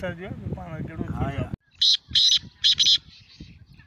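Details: Home-bred black francolin (kala teetar) chick, two months old, calling: after a man speaks, four short, harsh, buzzy high-pitched bursts come in close pairs over about one second, with faint background rustling.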